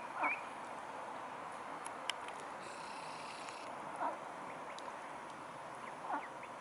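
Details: Mute swans recorded on 9 August 2015 in the evening; three short, faint nasal calls spaced about two seconds apart over a steady hiss of background noise.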